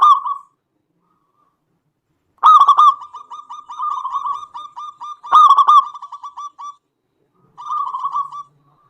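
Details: Singing local zebra dove, used as a lure to make other doves call back: a loud stuttering burst trails into a long string of quick soft coos, then the phrase repeats.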